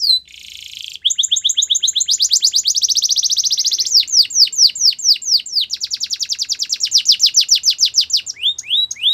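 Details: Canary song offered for training other canaries, labelled Belgian canary song: a loud, clear song opening with a buzzy note, then long rapid trills of repeated rising and falling whistled syllables, about four per second, changing tempo between phrases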